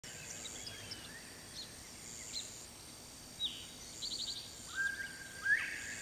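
A single Northern Bobwhite whistle near the end: a short low note, then a sharp rising 'white'. Faint chirps from other birds and steady outdoor hiss.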